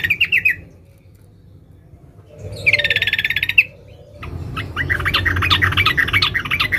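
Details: Female sooty-headed bulbul calls a male with short chirps, a fast buzzy rattle, then a long dense twittering chatter, separated by quiet gaps, over low hum.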